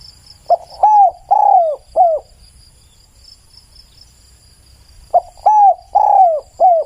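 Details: A spotted dove repeats a four-note cooing phrase twice, about four seconds apart. The notes are low, mellow and slurred, the third longest and falling. A faint insect hum and low background rumble are also audible.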